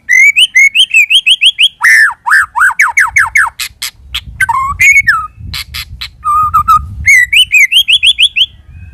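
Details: White-rumped shama lure song: rapid runs of sharp upward-slurred whistles, then descending slurs, harsh rasping bursts and a short steady trill, before the quick rising notes return.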